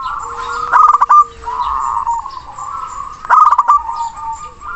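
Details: Zebra dove of a local Indonesian strain, strong-voiced and long-breathed, calling to a rival: two loud bursts of quick rolled coos about two and a half seconds apart over a steady murmur of cooing and a faint tone.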